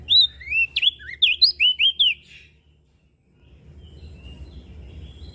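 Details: Mountain leaf warbler, a lively singer used as a lure and tutor: a two-second phrase of about ten high slurred whistles that swoop up and down, followed by soft low background noise.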